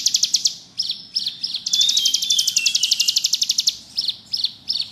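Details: Bar-winged prinia in energetic ngebrem song: high, sharp chirps in quick bursts, then a long, dense, buzzy trill with thin whistled slurs, ending in spaced paired chirps.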